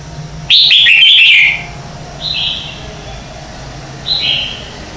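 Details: Red-whiskered bulbul morning song recorded as decoy calls for training; a loud, quick cascade of bright warbled whistles, then two quieter two-note slurred phrases spaced about two seconds apart.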